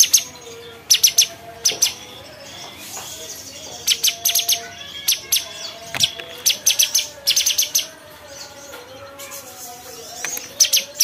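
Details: Bulbul (cucak cungkok) singing in clustered bursts of sharp, high chirps separated by short pauses, over faint steady lower whistled tones.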